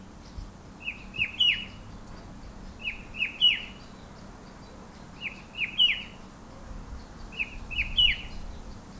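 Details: Rufous-winged Himalayan shrike-babbler perched on a bare pear tree at an orchard and botanical gardens in the western Himalayan hills gives a cheery phrase of three quick, high notes, the last loudest, repeated four times about every two seconds over low hum.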